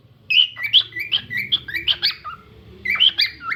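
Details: Cockatiel song of bright, slurred whistled notes, about seven in quick succession, then a short gap before a final cluster of chirps.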